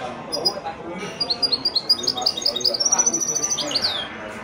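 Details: Song of a goldfinch-canary mule from a male goldfinch crossed with a female canary, widani style: a fast run of sharp, rising chirped notes building into a rolling trill, with a man speaking quietly in the background.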